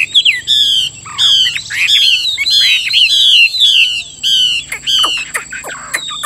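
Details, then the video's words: Chinese hwamei in a cage delivers loud, rich whistled phrases, each a bright downslurred note with strong overtones, repeated roughly every second, ending in sharp clipped notes; faint constant high-pitched hum in the background. "Họa mi hót hay"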